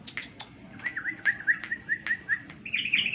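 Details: Sooty-headed bulbul sound played as a lure so that birds reply: a string of short clear whistled notes about every quarter second, ending in a brighter chattering burst, with sharp clicks in between.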